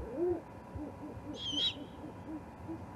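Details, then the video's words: Juvenile great horned owl at the Charlo osprey nest, 21 October 2020, giving one harsh, hissing screech about half a second long, set against a run of faint, low, soft repeated notes and steady background noise. "This Juvie GHO is a Hoot!"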